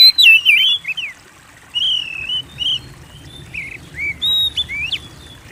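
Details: Oriental magpie-robin in persistent song, a lure to make other birds sing: an opening burst of rapid looping whistles, then spaced single slurred and rising whistled notes over faint background hum.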